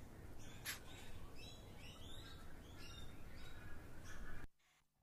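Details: Two cockatoos on a house roof in Australia give several harsh, raspy screeches and squawks, irregularly spaced, over a heavy rumble of wind or handling noise.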